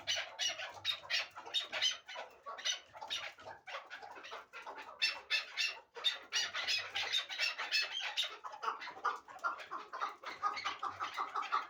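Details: Hybrid partridge of a fighting and hunting strain producing a long, crowded stream of harsh, squawking notes with scarcely a break, loud and raspy throughout.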